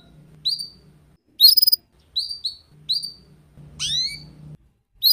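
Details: Sparse canary song for training young canaries in the ngeriwik style: single high, short falling whistles and one quick trill, spaced about a second apart, with a low hum underneath.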